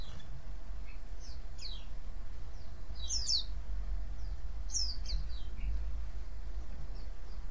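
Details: White-eye chirps meant to draw other white-eyes to reply: scattered high, sharply falling notes, some doubled, coming in loose bursts over a low steady background rumble.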